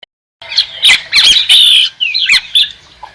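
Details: White-crested laughingthrush giving loud, harsh, squawking chatter in irregular bursts after a short silence, with rapid jumbled notes and a brief rising whistle, without background noise.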